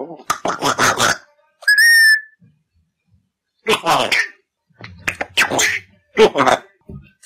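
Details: Grey parrot named Oscar, a male African grey from Poland just beginning to talk, speaks short human-like phrases ("Sweety!", "What? My sweet heart!") with bright rising whistles between them, indoors; mimicked speech.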